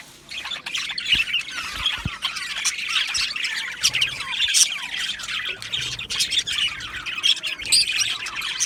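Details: A colony of Australian budgies in an aviary: rapid, raspy chirps and trilling squawks from many birds layered together, with occasional sharp high squeaks and soft knocks early on.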